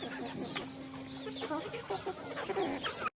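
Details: Chickens eating rice, a steady drawn-out tone under busy overlapping clucks and short chirps.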